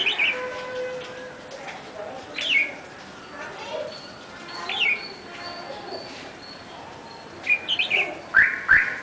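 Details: Song of a red-whiskered bulbul: short, liquid whistled phrases with quick rising and falling notes, repeated every two to three seconds and ending in a livelier burst of several notes, over soft background hiss.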